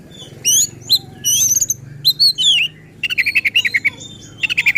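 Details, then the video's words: Oriental magpie-robin in agitated, provoking song: bright rapid whistled phrases and downslurred notes, then a fast stuttering series of short repeated chips, with a low steady hum in the background. "Burung Kacer Gacor Ngotot dan Emosi Suara Menggila Bongkar Isian."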